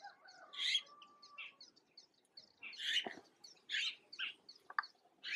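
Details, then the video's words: Juvenile Red-billed blue magpies, recently fledged, Uttarakhand, India: a string of rough, scratchy calls roughly every second, mixed with high chirps, a brief low thump and a faint whistle in the background. "Red Billed Blue Magpie and the babies"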